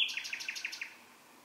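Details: Night-time bird song fragment: about six quick, high, evenly spaced notes in under a second, fading out.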